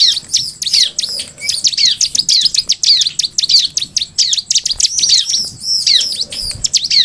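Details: Bar-winged prinia, known locally as ciblek, in energetic song used to make ciblek answer: an unbroken stream of rapid, piercing high chirps and downslurs, densely layered throughout.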